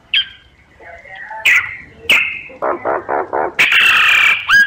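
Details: Myna calls used as a survey lure: scattered whistled notes, a string of four throaty gurgling notes, then a loud grating screech and a final whistle.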